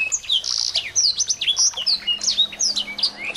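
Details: Chorus of small birds used as a lure to make a white-rumped shama sing: a continuous dense twitter of sharp high chirps, quick down-slurred whistles and short buzzy bursts with no pause.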